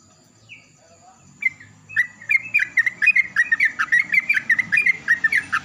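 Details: Morning Yellow-vented bulbul in loud counter-song with another bulbul: a few faint notes, then a lively, steady stream of liquid gurgling chirps, with a low hum and a thin high whine.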